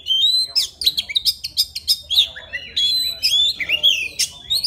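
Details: White-rumped shama from the forest, singing to attract a female, pours out fast bright whistles and rapid chattering notes that rise and fall, with one long sliding whistle near the end.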